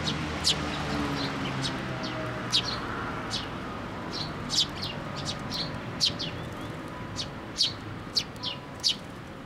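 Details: Young sparrows flying to a post for food at a Tenmangu shrine, 25 May 2024, giving frequent short high-pitched cheeps, clustering more densely in the second half, over a low continuous rumble.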